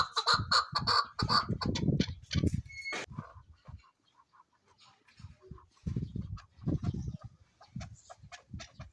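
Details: Chukar partridge, tagged as female, giving harsh, rhythmic clucking calls in quick bursts, with lower thumping and handling noises between phrases and laughter nearby.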